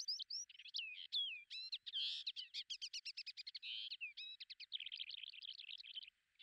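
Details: A lesser short-toed lark (Calandrella rufescens), recorded at Belchite, Zaragoza, Spain, in July 2019, delivers a fast, jumbled run of high chirps, buzzy trills and mimicked whistles, tumbling on without pause over a quiet background.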